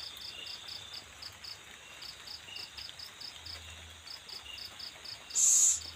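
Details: Owl with its young at feeding time: steady pulsed cricket chirping, then one short, loud, noisy hiss near the end.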